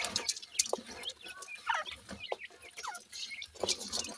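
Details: Twenty-eight-day-old francolin chicks feeding in a yard give short chirps and a few brief downward-sliding peeps, interspersed with pecking taps and soft scuffling.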